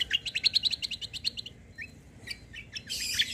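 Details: White-eye (kecial) lure song for making other birds answer: a quick, trilling series of high chirps, then a short gap with single notes and a final burst of dense, hissy twittering.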